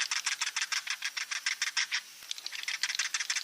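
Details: Swiftlet sound played to draw swiftlets in to roost: a fast, high rattling series of short buzzy pulses, about three per second, with a brief pause midway.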